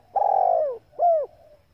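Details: Female spotted dove calling to stir up and excite males: a long, rough, buzzy purr sliding downward, then one short arched hoot, clean against a quiet background.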